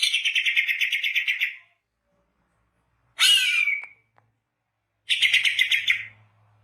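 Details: Greater green leafbird in full, continuous song, recorded as a lure for trapping birds: loud buzzy trilled bursts of rapid notes, a harsh descending squawk, then another fast trill, with silent gaps between phrases.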